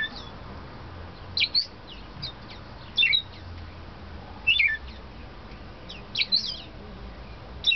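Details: A pet male splendid grass parakeet (scarlet-chested parrot) sings in short bursts of thin, high twittering chirps every second or two over a faint low hum.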